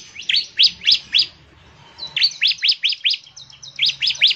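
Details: Lively bar-winged prinia song, ngebren style, played to make other prinias start singing: a run of four sharp descending chirps, a second-long gap, then two longer rapid runs of piercing high notes.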